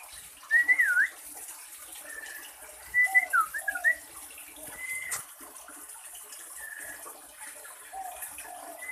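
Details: Caged cinereous tit breeding pair, male and female first put together in a hanging cage, giving clear mid-pitched wavering whistled notes in short clusters a few seconds apart, over steady hissing background noise.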